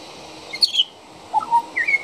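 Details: A juvenile pied butcherbird sings outside a back door: a high twittering pair of notes, a pause, then lower fluty whistles followed by a rising two-note whistle, sweet and clear.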